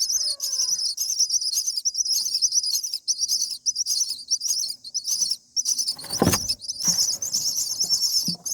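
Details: Common myna nestlings on day 7 begging for food in the nest: steady harsh, hissing high calls in short bursts, with a loud rustling thump midway.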